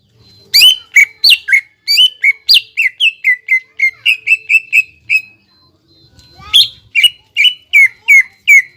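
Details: Greater green leafbird song meant to stimulate a bird to sing: a quickening series of clear, descending whistled notes, about three per second, then a short pause and another run of bright slurred whistles.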